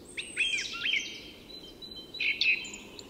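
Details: Song thrush at dawn, Tyresta National Park, Sweden, delivering clear high whistles and sliding notes in two short bursts separated by a brief gap.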